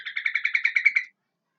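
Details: Sooty-headed bulbul heard in a short bright rattling series of about ten rapid notes, each pulse evenly spaced, lasting about one second, then silence.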